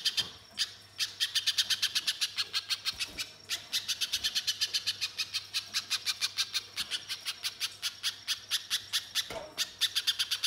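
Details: Spiderhunter lure song meant to prompt other birds to sing at once: a long, nearly unbroken run of rapid, high, metallic chips lasting about ten seconds, with a faint low hum throughout.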